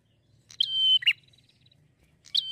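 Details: Prinia, any kind, with bright chirped notes near the upper register: a sharp chip, a sustained thin whistle, then a quick buzzy burst, with a new phrase starting at the end; quiet background.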